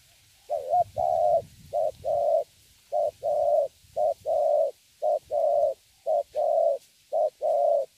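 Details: Young wild-caught spotted dove singing in the thổ style: paired mid-pitched coos, a short hooked note then a longer steady one, repeated about every second with brief gaps, over faint low rumbling.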